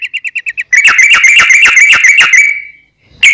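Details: Trucukan-style sooty-headed bulbul song used as a lure: a row of short, evenly spaced high beeps, then a dense burst of clicking, whistled notes on one pitch that trails off into a brief silence before another note begins.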